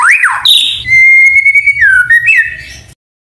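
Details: White-rumped shama singing actively with canary and cililin imitations, used to provoke and tutor other shamas: a swooping rise-and-fall note, a buzzy high phrase, a long level whistle, then slurred descending and stepped whistled notes.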